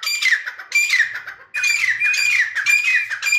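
Grey Francolin calling in loud, harsh, ringing phrases with whistled notes near two kilohertz, in bursts under a second long separated by short gaps.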